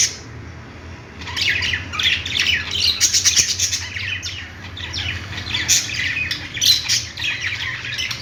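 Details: Budgies at play: after a quiet opening second, several birds break into continuous busy chirping and scratchy squawks, with sharp louder peaks over a faint low hum.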